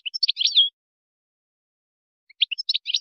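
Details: Short Moroccan goldfinch song for tutoring chicks and hybrids: a rapid liquid twittering phrase ending in a drawn-out slurred note, a pause, then another twitter begins, high and clear.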